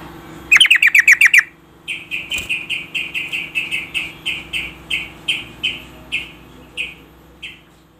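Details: Female yellow-vented bulbul calling to a male to stimulate him into singing. A quick burst of seven sharp chirps opens, then a steady series of clear, slightly buzzy notes repeated about every half second, fading toward the end, with a faint background hum.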